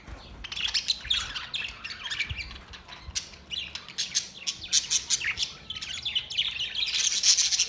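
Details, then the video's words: Budgies chattering together, a busy stream of scratchy chirps and twittering notes that grows louder and harsher toward the end. "Beautiful Budgies birds beautiful singing"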